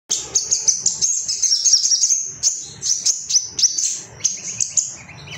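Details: Ruby-cheeked sunbird, an agitated bird seeking rivals, sings a fast, high, thin twittering with sharp chirps, almost continuous and falling into short bursts toward the end.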